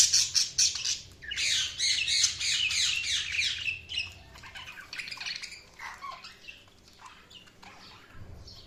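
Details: Budgies chatter loudly in fast, scratchy high chirps and squawks for the first four seconds, then the calling thins to quieter scattered warbles and brief notes.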